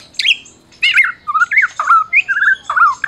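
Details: Medan white-rumped shama, a caged prize-winner, singing to stir silent shamas: rough chattering notes followed by a quick series of slurred whistled phrases at varying pitch.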